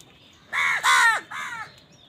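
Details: Crow calling on a winter morning among a flock: three loud, harsh, hoarse caws in quick succession, the last one shorter and weaker.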